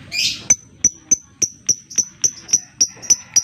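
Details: Lovebird lure sound used to stimulate other lovebirds to sing: a short rough burst, then sharp high chirps repeated about every third of a second, each ending in a thin high whistle.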